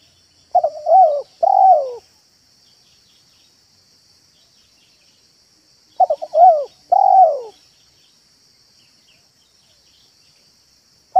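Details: Spotted dove coos meant to attract doves, 'manggung' and 'meratus' styles: two phrases of clipped notes ending in a long drooping coo, five seconds apart, a third starting at the end, with a steady high hiss.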